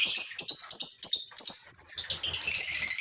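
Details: A colony aviary of lovebirds on a breeding farm in the morning, masked and Fischer's lovebirds included. A rapid run of shrill, sharp high chirps repeats about three times a second, merging into a continuous harsh twittering.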